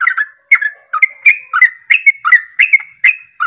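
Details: Sooty-headed bulbul in 'ropelan' song used to provoke other birds to sing; brisk bubbly double notes repeated about three times a second, clear and loud.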